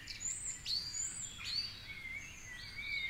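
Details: Song thrush singing from a favourite perch atop a tall tree at 4.45am during the dawn chorus by the Curragheen River, Cork City, with raindrops; overlapping high thin whistles, sliding notes and steady lower whistled phrases among other birds.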